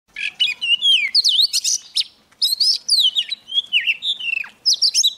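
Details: Young Oriental magpie-robin singing vigorously as a wild bird comes near: rich, varied whistled phrases with sweeping, rising and falling notes and quick buzzy flourishes, pausing briefly midway before resuming.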